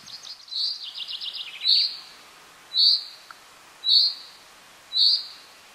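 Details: Common chaffinch (Fringilla c. coelebs) in the Alpilles, France, in May 2018, gives a quick descending run of notes, then sharp, high calls repeated about once a second against a quiet outdoor background.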